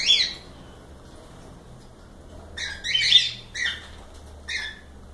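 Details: Cockatiels calling indoors, one squawk at the start, silence, then three closely spaced raspy chirp bursts toward the end.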